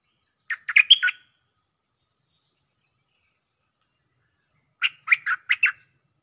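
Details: Cream-vented bulbul calling a mate, recorded as a decoy sound: two rapid bursts of four to five sharp, scratchy chirps each, separated by about four seconds of quiet.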